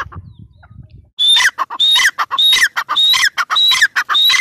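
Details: Teetar, the grey francolin, beginning after a second of quiet low background noise, then a run of loud, high, ringing phrases, each a piercing whistled note dropping into rasping, falling syllables, repeated steadily.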